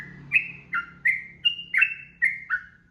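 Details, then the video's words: Long ropel singing of a Sooty-headed bulbul, recorded as masteran for young birds: rapid, cheerful, liquid whistles, each note sliding down in pitch, repeated about three per second above a faint low hum. "SUARA TRUCUKAN GACOR 2026 ROPEL PANJANG"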